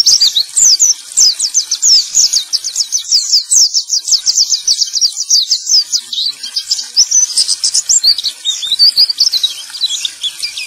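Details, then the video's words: Male white-eye singing, used as a prompt to make other white-eyes that have gone quiet start singing again; long unbroken stream of fast, high, sharp twittering notes, slightly varied toward the end. "Pancingan Burung Pleci Jantan"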